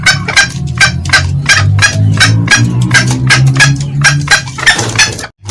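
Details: Green junglefowl, male and female, in a loud lure recording of their cackling: a fast series of short, harsh, clipped bursts, roughly one every 0.7 seconds, over a steady low droning hum.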